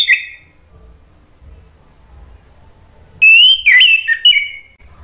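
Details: Orange-headed thrush song meant to prompt a non-singing bird to sing and answer back: a brief whistle at the start, then after silence a loud warbled whistled phrase with sliding, wavering notes lasting over a second.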